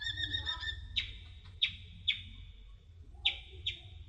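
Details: Sunbird known as kolibri ninja, song for masteran: a buzzy trill opens, followed by five loud downward-swept chips spaced irregularly, each trailing into a held whistle, with low rumbling noise.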